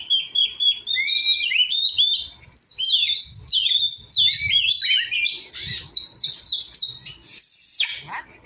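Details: Oriental magpie-robin being trained, singing a lively series of clear whistled notes and short rising and falling slurs, then harsher scratchy bursts and a high thin whistle near the end.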